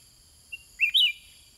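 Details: Sooty-headed bulbul kept in a cage answering wild birds, giving a brief high pip followed by a loud, liquid two-note whistled phrase, the second part higher; constant high-pitched insect hum behind.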